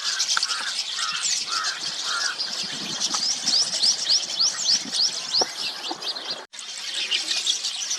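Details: A busy flock of rosy starlings (Pastor roseus) feeding on semal flowers in Aurangabad, Maharashtra, India: dense high squeaks and chirps, with a run of rapid rising whistled whistled notes in the middle.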